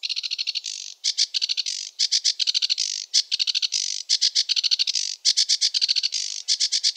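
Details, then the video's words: Continuous sedge warbler song, a hurried stream of rattling clicks and scratchy buzzes, phrases shifting constantly without repeating the same sequence. "Sedge warbler song (Acrocephalus schoenobaenus) the warbler rapper"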